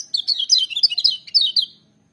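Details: A bright, rapid warble from a lemon-bellied white-eye, lasting under two seconds: a dense string of high, quickly sliding chirps that tumble up and down before stopping abruptly.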